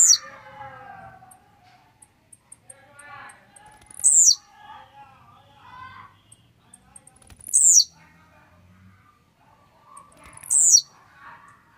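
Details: Warmed-up, grumpy Blue-black grassquit gives a buzzy, falling high note about every three to four seconds, four times in all. Softer chattering from other birds fills the gaps between.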